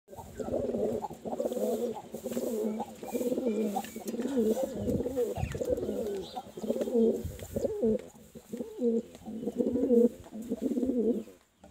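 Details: Pigeon cooing steadily indoors, low throaty coos in rolling, slightly uneven phrases almost once a second, with brief pauses between bursts; faint room noise in the background.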